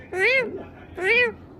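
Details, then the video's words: Pet parrot mimicking a cat: two drawn-out, arching meow-like calls with rich stacked harmonics, each about a third of a second, spaced nearly a second apart, in a quiet indoor room. "cute talking parrot"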